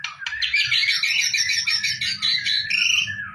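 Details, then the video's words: White-rumped shama song recorded as training for a singing contest: a dense, rapid run of buzzy, chattering notes, mostly high-pitched, sliding gradually lower toward the end, with a faint low hum beneath. "KICAU MURAI BATU UNTUK PERSIAPAN LOMBA"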